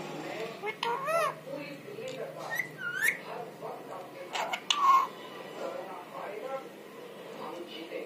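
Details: Pet parrot, called mitthu, imitating human voices indoors: a run of rising-and-falling whistled notes and harsh speech-like syllables in short bursts, with a bright upward whistle near five seconds, then quieter murmurs.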